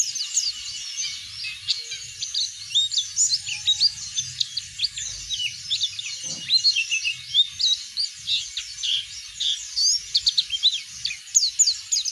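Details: Oriental white-eye singing in the continuous ngeplong style, used as a lure to prompt other birds to sing; dense, rapid, high twittering and warbled phrases run unbroken throughout, with a faint low hum underneath.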